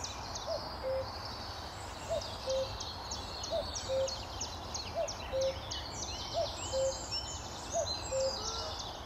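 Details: A common cuckoo gives its soft, falling two-note 'cu-ckoo' six times, about every one and a half seconds, over busy high songs of other birds, on a sunny May 2014 morning by the lake at Amwell Nature Reserve.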